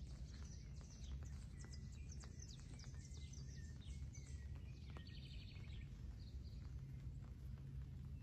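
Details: Sabiá thrush singing on a rainy day: thin, high whistled notes and descending slurs layered among other faint bird calls, over a steady low rumble of rain.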